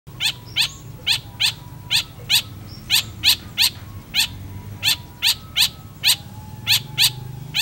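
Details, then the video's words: Long-tailed shrike in energetic song: sharp, scratchy notes repeated steadily about three times a second, each a brief downward stroke, over a low background hum. "PENTET GACOR ANTI GALAU"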